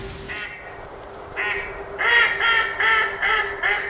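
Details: Ducks quacking in a run of harsh, nasal calls that grow louder and repeat roughly every half second over a steady low hum.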